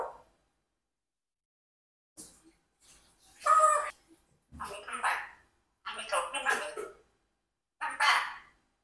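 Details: Four-year-old pet Congo African grey parrot, adopted and kept with a mixed flock, talking in short speech-like phrases with gaps of silence between bursts, as if asking questions.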